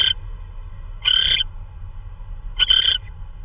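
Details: Owl at night, 3:12 AM on March 16 2013, delivering prey, possibly a vole: three harsh, hissing screeches, each about a third of a second long, spaced roughly 1.5 seconds apart over a low background rumble.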